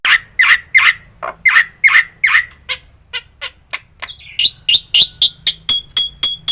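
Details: Black-winged myna master song rich in fill-in phrases, used to train other mynas: harsh, spaced squawks give way to dry clicking notes, ending in a run of sharp, high, ringing notes.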